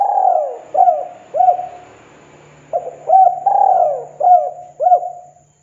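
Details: Spotted dove calling to provoke other doves into answering: soft low cooing phrases, a drawn-out slurred coo followed by two short rounded coos, given twice with a quiet gap between.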